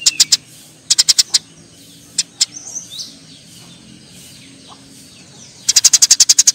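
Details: Eurasian tree sparrows fighting: short bursts of dry, high chirps, four then four, a couple of lone notes, a quiet gap, then a fast run of about ten sharp chirps at the end.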